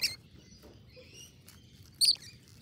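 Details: Scaly-breasted lorikeet feeding: two brief, shrill, high squeaks, one at the start and a louder one near two seconds, with faint thin whistled notes between over a quiet, low background rumble.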